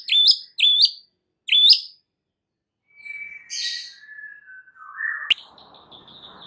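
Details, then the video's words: White-rumped shama song used as a lure to make a shama sing its full repertoire: three short rising whistles with a sharp upward hook, a pause, then a long whistle sliding downward and ending in a click, with faint background hiss. "Belum 1 Menit Murai Batu anda dijamin langsung BONGKAR ISIAN dengar PANCINGAN Murai Batu satu ini"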